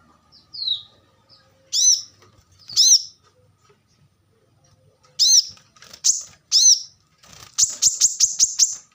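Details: High-pitched song of a plain-throated sunbird (kolibri kelapa, manggar, wiceh), from a tutor recording for caged birds: scattered bright downslurred chips, then a quick run of six rapid metallic notes at the end.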